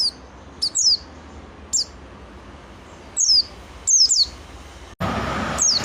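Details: Pleci singing with scattered high, down-slurred whistled notes at irregular intervals; a sudden broadband hiss of noise starts near the end.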